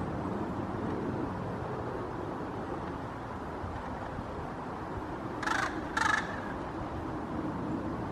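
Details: A hooded crow in Helsinki, Finland, in October 2022 gives two harsh, rasping alarm caws about half a second apart near a foraging red squirrel that seems to react, over a steady rumble of wind or distant traffic.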